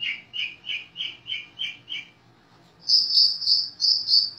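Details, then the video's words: Long-tailed shrike song with mimicked calls of sparrow, canary, lovebird and others: seven evenly spaced mid-pitched notes, a short pause, then a run of higher, buzzier repeated notes. "Masteran Cendet Tonjolan Isi Gereja Kenari Lovebird Kapas Tembak Cililin"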